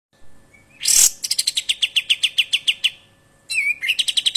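Olive-winged Bulbul giving a fast run of about fifteen sharp, high chipping notes, roughly seven per second, after a harsh burst, then a rising whistle and another quick run.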